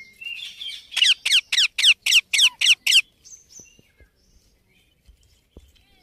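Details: Baby Indian ringneck parakeet giving a rapid series of about eight harsh, rasping squawks, roughly four per second, after softer chattering notes, then fading to quiet.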